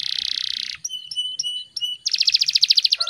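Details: Canary in fast, dense gacor speed rapat song: a steady buzzy trill, then a run of thin repeated whistled notes, then a rapid series of sharp descending chips.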